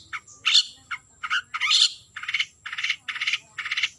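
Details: Harsh, rasping bursts from a long-tailed shrike calling a rival, irregular at first with a couple of louder screechy notes, then settling into steady buzzy calls about every half second.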